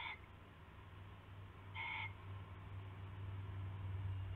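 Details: Owl at night during an early-morning rabbit handover, February 19, 2016; two short, rasping, harmonic notes nearly two seconds apart, with a loud, steady low hum underneath.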